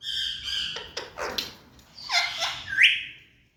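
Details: Tame ringneck green parrot giving rough, buzzy squawks in uneven bursts, ending with a short harsh rising screech, over a low background rumble.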